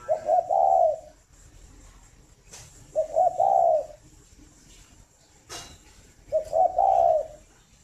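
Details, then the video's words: Three cooing phrases from a caged spotted dove at a Ba Vì farm, Hanoi, Vietnam, in the morning, roughly three seconds apart, each stuttered notes then a drawn-out hollow coo, with two loud clicks between phrases. "tiếng chim cu đẻ"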